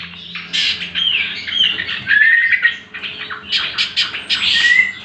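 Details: Greater green leafbird song used as training material for other birds: a lively run of varied chattering and squawky notes with short whistled slurs, delivered in dense bursts with brief pauses and a faint low hum beneath.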